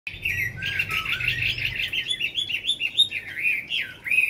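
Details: Tame caged Chinese hwamei, over five years in the cage, singing well after feeding: a continuous, rich run of varied whistled and warbled notes sliding up and down briskly, faint low hum early on.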